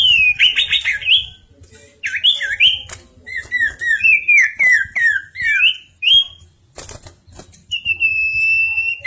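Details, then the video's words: Bar-winged prinia in full song: a varied string of clear slurred whistles, rising and falling phrases separated by short pauses, with scattered clicks and tapping noises between them. "Burung SIRTU/CIPOW/CIPOH gacor part 4"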